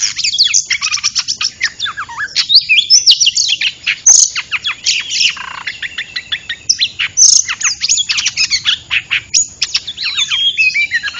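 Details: Trapping lure of an oriental magpie-robin: a long, dense stream of rapid chirps and buzzy notes mixed with whistled slurs, broken by a few loud sharp squeaks.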